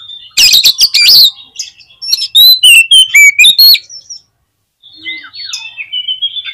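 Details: Oriental magpie-robin used to stir up other magpie-robins, with a loud burst of harsh chattering notes followed by sharp whistled phrases, then soft varied warbling after a brief pause.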